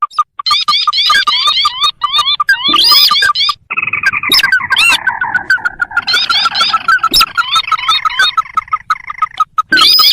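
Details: Sintar, a paddy-field and marsh bird, in a recording used as a lure for trapping wild birds: loud repeated hooked whistles and quick chattering notes, with sharp clicks and bursts cutting in.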